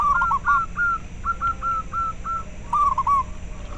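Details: Local zebra dove sound for raising breeding drive in caged birds and luring others; a quick string of clear, slightly wavering coo notes, several per second, then a short rolling trill near the end, with constant low hiss.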